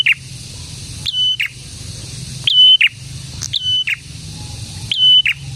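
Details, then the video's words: Actively singing prinia, called prenjak tamu or prenjak merah, repeats a high flat whistle with a buzzy finish about five times, the pauses filled by a steady low hum. "BURUNG PRENJAK GACOR"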